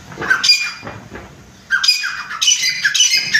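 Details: Grey francolin, chitta teetar, kept for breeding at home; a brief sharp note, a pause, then a loud burst of harsh, scratchy, rapidly repeated calls.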